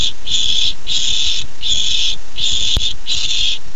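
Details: Excited barn owl owlet awaiting its first treat, 13 July 2015: five rasping, noisy hiss-screeches of about half a second each, repeated quickly and evenly, with one sharp click near the end.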